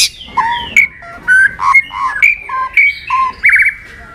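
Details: Fighting song of a white-rumped shama for training. Quick alternating whistled notes, some low and some high, follow in a bouncy rhythm and end with a buzzy trill that slides into a level whistle.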